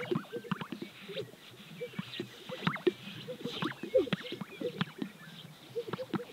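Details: Greater sage-grouse on their lek in Central Montana: low, bubbling pops and gulping plops in quick overlapping bursts, as if from several birds, with faint higher swishes behind.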